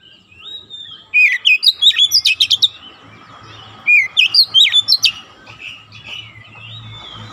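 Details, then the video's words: Oriental magpie-robin in a training recording for young birds, fast nembak rapat singing: two tight bursts of sharp, varied whistled notes a few seconds apart, with faint low hum beneath. "TERAPI KACER BAHAN CEPAT NEMBAK RAPAT"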